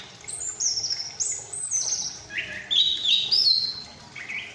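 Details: Chestnut-capped thrush (Geokichla interpres), a young bird out of the nest and actively learning its song, practises subsong: high, thin whistles and twittering phrases, some sliding down, others rising, given in quick, varied bursts.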